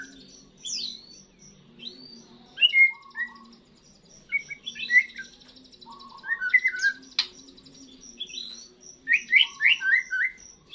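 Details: Juvenile white-rumped shama singing for the first time after its moult, scattered short whistled notes and quick chirpy clusters, hesitant and widely spaced, with a faint constant low hum behind.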